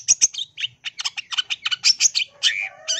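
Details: Long-tailed shrike in energetic full song packed with mimicked notes: short, sharp, high chips and buzzy notes delivered in quick bursts, several per second, with a brief low whistle near the end.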